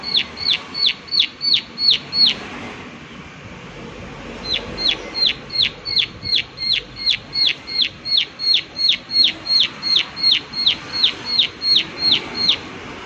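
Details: Long series of ringing prinia 'klik klik' notes, a run of about seven, a two-second pause, then a steady unbroken stream of high, evenly spaced ticks, faint hiss behind.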